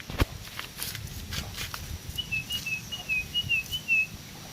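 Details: Sooty-headed bulbul, a caged bird being bathed, giving a run of short wavering whistled notes, about eight in quick succession over two seconds, over splashing and dripping water noise.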